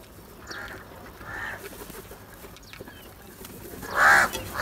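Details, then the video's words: Crows squabbling over food: two faint, hoarse caws early on, then a loud, harsh caw near the end with another starting as it stops, over a quiet, noisy background. "Crow sounds | کوے کی آواز"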